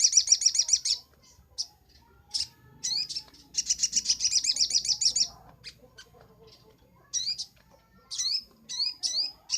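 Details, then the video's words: Crimson sunbird (sogon), master recording for training birds: a quick high trill, then spaced thin chips, a second rattling trill, and a series of sharp upslurred whistled notes. "Masteran sogok ontong paling ampuh - sogon gacor nembak"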